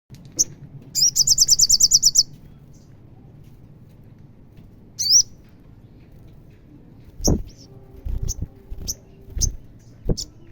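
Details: Olive-backed sunbird song, locally called sogon, played to provoke a caged sunbird into singing: a rapid, very high buzzy trill of about a dozen even notes, a thin upslurred whistle, then scattered sharp high chips over low knocking thuds.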